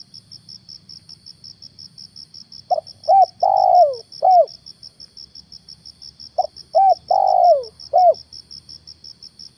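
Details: Spotted dove used as a lure bird to draw down wild doves, recorded in the morning: two low cooing phrases, each a short note, two hooked coos and a long falling coo, over a steady pulsing cricket chirr.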